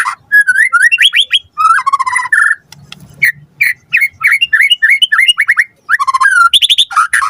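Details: White-rumped shama singing lively as a lure for a quick response, with varied whistled phrases, a pause with faint low rumble, then a repeated series of rising slurred notes and sharp chips.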